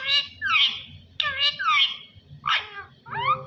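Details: Parrot talking, with the words given as "Allah Hoo": five loud, harmonic, speech-like syllables in quick succession, some sliding down and one rising at the end, over a faint low hum.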